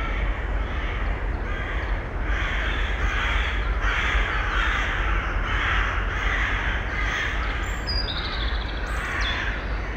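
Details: In early May, a female Eurasian eagle-owl with nestlings in a nest box gives harsh, rasping calls about every half second over a steady low rumble of constant background noise, recorded without a directional microphone.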